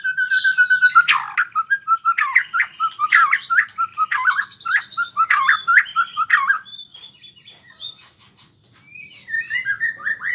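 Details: White-rumped shama practising rolling song (ngerol): rapid, harsh repeated notes in quick bursts for several seconds, then quieter scattered high whistles.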